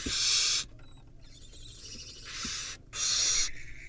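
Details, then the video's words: Barn owl nestlings in a tug-of-war produce rough hissing screeches, one loud burst at the start and another near the end, with a fainter hiss and faint scuffling in between. "barn owl nestling tug a war"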